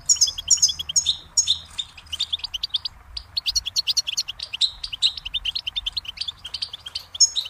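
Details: Rapid, continuous goldfinch twittering, a dense stream of high liquid chips and trills that runs almost unbroken, with only a brief gap near the middle.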